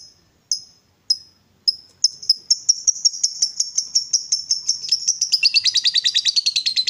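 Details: Lovebird, a caged fighter provoked into calling: a few spaced high chips speed up into a dense, continuous, grating trill that carries on to the end, typical of ngekek.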